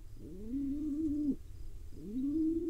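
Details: Begging from a small wild pigeon chick being fed by its father in Israel: a long, wavering whine of about a second, then a second rising whine.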